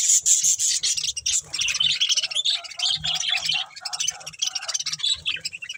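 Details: Budgerigar breeding pair giving busy, high warbling chatter, a tangle of quick chirps and scratchy notes with short dips, faint low thumps underneath.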